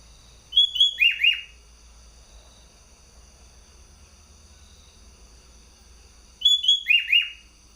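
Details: From Bogor, a caged contest sooty-headed bulbul repeats a short, lively phrase of level whistles ending in two or three downward-swooping notes, twice in the stretch, separated by several seconds of near-quiet hum.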